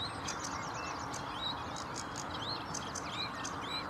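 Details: Chattering sedge warbler song from Vange Marsh RSPB, 7 May 2016: fast mix of dry ticks and short rising and falling whistled slurs, delivered without pause over a background of steady hiss.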